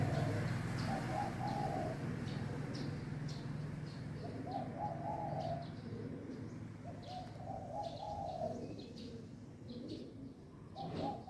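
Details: New-day cooing from doves calling near one another: four phrases of mellow, rolling coos spaced a few seconds apart, over a steady low hum and scattered faint high chirps.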